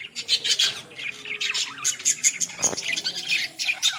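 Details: Several Australian parrots chattering in a village, rapid bright chirps and scratchy squawks overlapping in quick bursts, with one sharper note near the middle.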